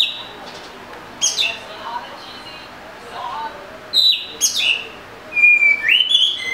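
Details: Oriental magpie-robin giving spaced whistles and chirps, with quieter lower notes between and a clear rising whistle at the close.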